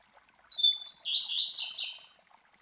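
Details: A master Double-collared Seedeater sings the classic Tui Tui Zel Zel, a tutoring song for young birds; whistled opening notes, a rolling warble, then a burst of steep falling slurs and a drawn-out final note.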